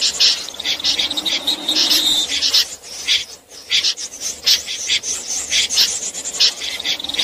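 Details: Common snipe calling at night as a lure for net trapping: a continuous chorus of buzzy rasping notes over a steady background hiss, briefly dipping in the middle.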